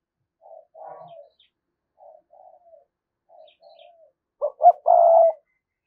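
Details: Lure spotted dove calling to attract wild doves: several soft short low coo phrases, then a louder close burst of clipped notes ending in a sustained coo.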